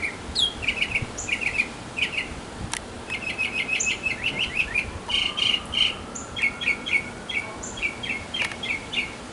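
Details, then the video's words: Male mockingbird singing in a backyard to attract a female: a fast run of varied, sharp chirped phrases, each repeated several times in quick bursts, with high squeaky notes at the start and a couple of clicks. "Mocking Bird 200 Sounds to Get the Girl!"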